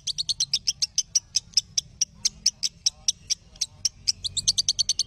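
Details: Lovebird song for training other lovebirds: a fast burst of shrill chirps slowing to spaced single notes, then quickening again at the end, with a quiet low rumble beneath.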